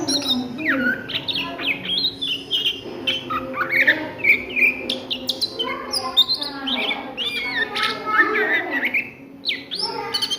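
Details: Oriental magpie-robin singing at midday, a busy run of sharp whistled notes, quick rising and falling slurs and chattering phrases, with a steady low hum beneath.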